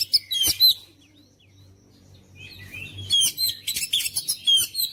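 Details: Oriental magpie-robin song, a caged bird kept to sing vigorously: bursts of high whistled and chattering notes at the start, a quiet gap with a low hum, then a dense run of sharp chirps and whistles from three seconds on.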